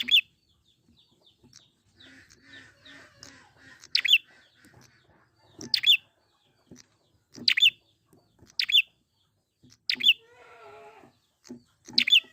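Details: Prinia singing in the wild, used as a lure to prompt singing: repeated high, sharp chirps with a downward flick roughly every one to two seconds, mixed with softer buzzy harmonic notes and faint ticks.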